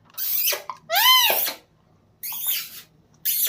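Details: Young green pet parrot mimicking laughter indoors: a few harsh, raspy laugh-like squawks with arching, descending tones, separated by short silences, the middle one strongest and most tonal.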